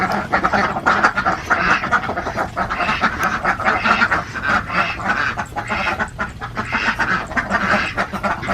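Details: Alabio ducks on a farm in Central Java quack in a dense, overlapping chorus, many harsh nasal calls running together almost continuously at a steady, busy pace.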